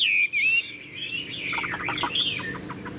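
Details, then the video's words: Tame Chinese hwamei, a caged songbird, gives a loud, clear whistled phrase sliding up and down, then a quieter run of scratchy, chattering notes. "Họa mi đẳng cấp, chim thuần, hót như 1 cái máy"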